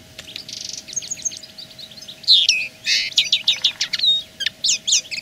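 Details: Common linnet singing as a territorial claim: quick twittering chirps and short trilled notes, building into louder varied phrases with a brief buzzy rattle midway, over a faint steady hum.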